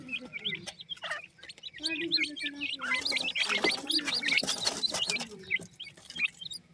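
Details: Well-fed Iranian partridge chicks, content while feeding, give a busy chorus of high, thin peeps and short rising chirps, overlapping quickly, with faint low voices underneath.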